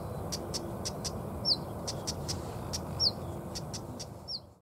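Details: Siberian stonechat female alarmed close to her nest: hard ticking clicks in small groups alternating with three high, thin whistled downslurs, against faint low-frequency noise.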